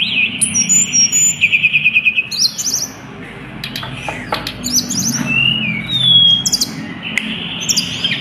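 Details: Hill blue flycatcher song played as a lure to prompt other birds to sing: a rapid run of repeated notes, then scattered high whistled phrases, some falling, others slurred, over a low steady background hum.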